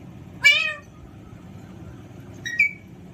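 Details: Pet Alexandrine parakeet in a playful mood: one loud harsh falling squawk, then after two seconds a shorter, thinner call.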